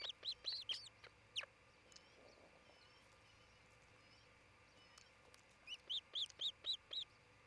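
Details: Osprey nest in Charlo, Montana, near midday on 27 June 2018, nest camera: a fast flurry of high yelps, a quiet stretch, then about six evenly spaced, ringing whistled chirps, roughly four per second.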